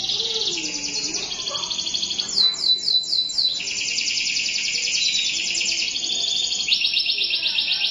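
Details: Canary singing continuously in high, dense rolling trills, switching between buzzy sustained tours and a quicker chopped rattle of repeated notes about four per second, with faint low background hum.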